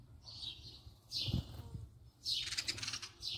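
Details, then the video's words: House sparrow recorded close up: a few scattered chirps separated by pauses, with a burst of rustling, possibly wingbeats, and a low thump in between. "voice song call house sparrow صوت عصفور الدوري"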